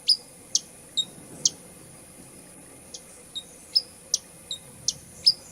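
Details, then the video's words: High, sharp hummingbird chips, some with a short whistled tail, repeated irregularly over a constant background hiss and a faint steady high tone. "SONIDO DEL COLIBRI// ZUMBIDO// SOUND OF THE HUMMING BRI // BUZZING OF THE HUMMING BIR"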